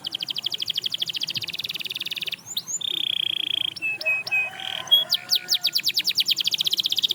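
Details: Canary song inspiring other canaries to sing: a soft, buzzy high trill, interrupted by flat whistled notes and short chirps, then a fast rhythmic trill again.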